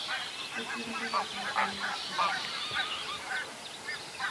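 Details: Whooper swan at Vilkkilänturan, Virolahti, that seems to be trying to clear an irritated throat by drinking water; strained, hoarse honks come irregularly, roughly two per second, layered with other distant waterfowl chatter and hiss.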